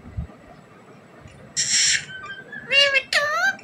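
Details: Desi parrot, a rose-ringed parakeet, talking: a burst of hissy noise, a short level whistle, then two loud harsh squawking syllables with rich harmonics that bend down and up.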